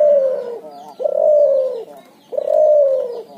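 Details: Hybrid cuhu dove, a Barbary dove crossed with a spotted dove, giving its ngoar nguku call: drawn-out mellow coos, slightly falling at the end, repeated about every 1.3 seconds with short pauses.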